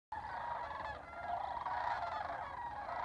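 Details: Flock of Sandhill Cranes on spring migration at Albuquerque, New Mexico: a steady chorus of overlapping rolling, trumpeting calls, with many birds calling at once without a break.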